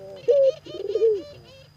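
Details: Spotted dove cooing, a bird kept for its sound at home: low mellow hooting notes, one sustained coo then a wavering, bubbling phrase ending in a falling coo.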